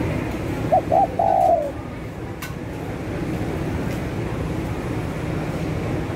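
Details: ['Spotted dove calling, used as a lure for wild birds: two short clipped notes followed by one longer, slightly wavering coo that falls in pitch at its end, sounded once over a steady low rumbling background.']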